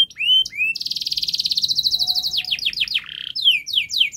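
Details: A canary sings a long, rapid, dense song used to coax young canaries into singing: rising chirps lead into a fast buzzy trill, followed by a string of descending whistled sweeps.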